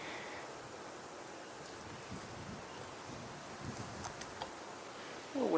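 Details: Steady outdoor rustle and wind noise, ending with the start of a human voice.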